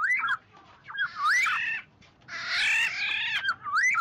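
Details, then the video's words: Oriole calling the flock, recorded clean for luring birds: curving whistled phrases broken by two long, harsh, grating squawks, with a whistled phrase at the end. "tiếng vàng oanh gọi bầy"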